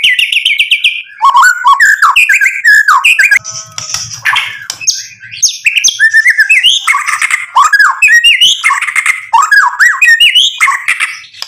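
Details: White-rumped shama in full song, meant to provoke rivals into answering: a rich, varied stream of whistled phrases, rapid chattering trills and mimicked notes, loud and nearly continuous, with brief pauses and a low buzzing rattle near the middle.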